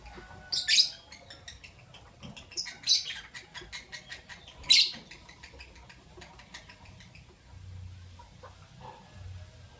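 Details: Captive albino and Euwing green opaline lovebirds in the morning: a few loud, shrill squawking chirps in short runs, tapering into quiet scratchy notes and low background hum.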